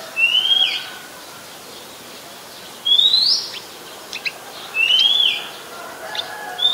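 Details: Oriental magpie-robin song from Ubon Ratchathani, Thailand, July 2021; rising whistled phrases repeated every two to three seconds, with faint clicking notes between them.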